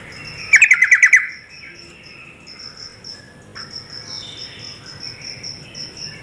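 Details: A female yellow-vented bulbul, calling to stir males to answer, gives a quick run of about seven sharp notes. A thin, high, steadily repeated tone continues behind it.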